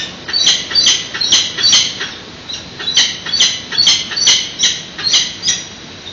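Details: Peregrine falcon chicks at a San Francisco nest during a morning feeding, 13 June 2017, captured on a live webcam. Continuous scratchy, screeching squawks pour out in steady pulsing runs, a little more than two per second throughout.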